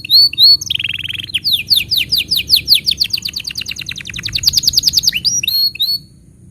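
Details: Canary tutor song for young and silent canaries: rapid trills of repeated rising-falling notes in a fast series, with a steady buzzy trill near the start and sweeping whistles at the end.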